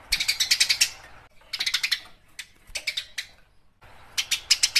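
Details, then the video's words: House sparrows in a fight give rattling strings of quick, harsh chirps in several bursts of up to a second, separated by short silences. "Suara burung gereja gacor tarung"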